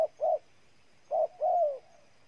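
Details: Spotted dove in Ninh Thuan, Vietnam, giving two pairs of coos, each a short note then a drawn-out, gently descending one, with a faint steady hum behind.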